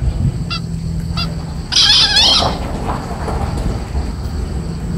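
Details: Four-month-old green junglefowl delivers one short, raspy, broadband crow near the middle, preceded by two faint clipped calls, over a constant high whine and low background rumble.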